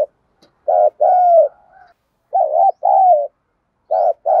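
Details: Decoy spotted dove hen in a 'gọi 1 hậu' calling bout meant to lure and provoke males. Three soft, hollow two-part coos, each a brief note then a drawn-out, gently descending one, at uneven intervals with near silence between.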